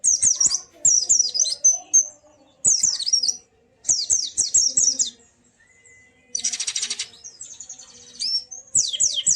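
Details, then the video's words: White-eye song played to prompt a quiet bird to sing: rapid high twittering phrases in short bursts with gaps, plus a brief harsh hissing burst of noise partway through. "Burung Pleci macet pasti langsung ikut ngalas dan buka paruh"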